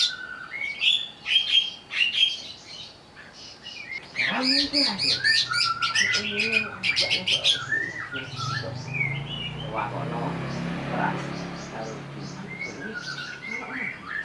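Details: Greater green leafbird stirred up to sing while agitated, pouring out varied whistled phrases and fast, dense chattering trills, with low human voices murmuring in the background midway.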